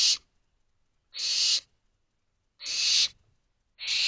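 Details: Barn owl owlets in a nest box calling for more food around 12:40 am; raspy hissing screeches, each about half a second, about every one and a half seconds.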